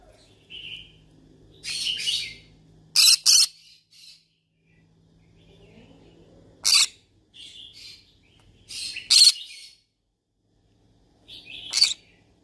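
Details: Yellow-sided conure, a pet parrot, calling as it looks for friends to talk to: loud scratchy squawks in irregular bursts, some doubled, separated by silent gaps, with a faint low hum at times.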